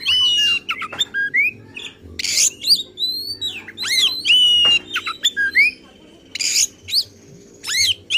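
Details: Emotional, insistent oriental magpie-robin song used to provoke other kacer birds: long pure whistles, sweeping slurs and harsh buzzy bursts, delivered in quick varied phrases with short pauses.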